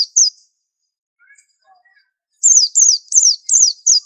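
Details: A white-eye gives two high chirps, then faint soft twitters, then a run of five strong, bright, downward-sweeping notes.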